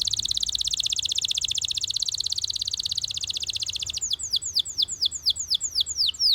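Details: Belgian canary in song, opening with a long, dense, very fast high trill held for four seconds, then switching to slower, separate, sharply descending whistled notes.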